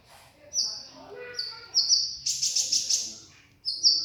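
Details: Sooty-headed bulbul, locally called konin, singing lively: high thin whistled notes held steady, then a burst of bright rapid chirps, followed by more long high whistles; faint low background noise.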